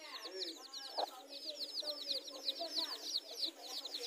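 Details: Newly hatched chicks beside their mothers in a garden, where hens meet to contest territory: dense, high, falling peeps dominate, with a few soft low hen clucks underneath.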